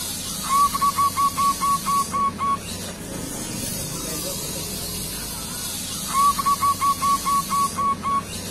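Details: Young local zebra dove singing two long phrases of about eight rapid, even cooing notes each, separated by a pause of several seconds, with hissing background noise.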